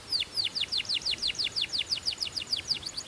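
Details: Belgian canary song used to warm up canaries and stimulate females: a steady series of about fifteen sharp, downward-sliding whistled notes, about five per second.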